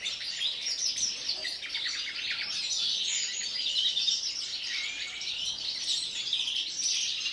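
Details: European greenfinch kept in captivity sings pre-breeding song: continuous high chirps, warbles and short trills, with a slurred note near five seconds.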